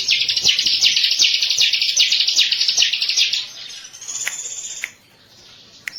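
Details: High, fast, buzzy chattering song of a ciblek, the bar-winged prinia, meant as a lure recording, running steadily for about three seconds before fading into a thin, high, drawn-out note and quiet.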